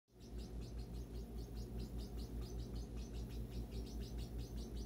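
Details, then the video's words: Marbled turquoise parrotlets, likely more than one, give quick, high, scratchy chirps repeated several times a second over a steady low hum. "Marbled turquoise parrotlet"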